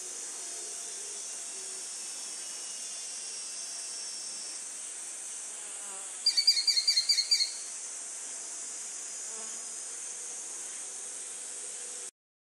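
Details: Chinese sparrowhawk giving its alarm call when another bird is far away: a short, rapid burst of sharp, high repeated notes lasting about a second, set against steady high-pitched insect buzzing throughout.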